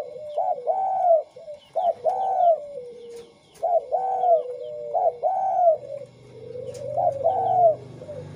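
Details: Tame spotted doves, a white bird compared with a local wild-type bird, cooing. Low, mellow coos come in repeated phrases of a short note followed by a longer rolling one, about every 1.5 seconds, with a low rumble late on.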